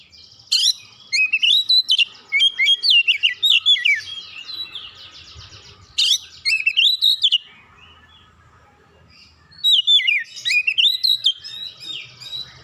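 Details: Oriental magpie-robin belting out long, varied song to fire up other magpie-robins, with rapid whistles, trills and harsh chips in three extended outbursts divided by brief quieter spells.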